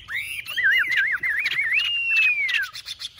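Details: Tame Chinese hwamei duelling in song while held by hand: a loud fluid warble of rolling, wavering whistles climbing into a sustained high note that glides smoothly down, with sharp chirps and clicks from the second bird around it.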